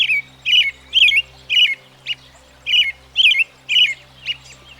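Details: American Robin, a common U.S. backyard bird, singing: a steady run of about nine short, clear, warbled phrases, each roughly half a second apart with brief pauses between, over a faint low steady hum.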